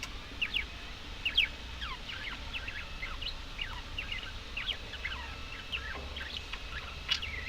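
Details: Budgerigars giving soft, rapid warbling chirps and short rising whistles in a continuous chatter over a low steady background hum.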